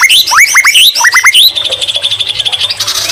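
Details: White-rumped shama song with a fill of greater green leafbird phrases. It opens with loud, sharply rising whistled slurs in quick succession, then breaks into a fast, steady stutter of high pulsed notes.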